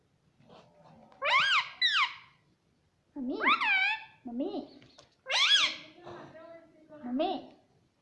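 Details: Parrot talking, saying "mummy": paired and single harmonic syllables that rise then fall, some lower and softer, arriving in bursts with short pauses between.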